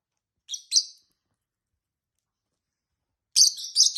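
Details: Two tame pet lovebirds, a peach-faced and a hybrid, chirping and chatting: a brief pair of high, scratchy chirps, then silence for over two seconds, then a denser burst of shrill twittering notes.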